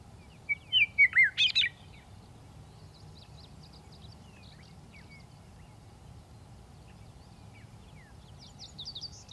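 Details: A Western meadowlark, a member of the blackbird family, gives one loud song of fluty slurred whistles ending in a jumbled warble, then scattered faint chirps of other birds over constant low background noise.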